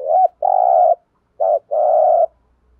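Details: Spotted dove cooing to goad wild doves into answering, a loud sequence of four low notes: a short curved hoot, a long buzzy coo, a brief note, then another long rough coo.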